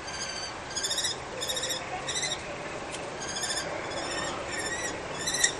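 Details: Common kestrel calls during a fight over a nest on a balcony in Brno-Bohunice, Czech Republic, as a nesting pair battles a rival pair and the female calls loudly. Short bursts of harsh, repeated notes come roughly every half second over steady background hiss.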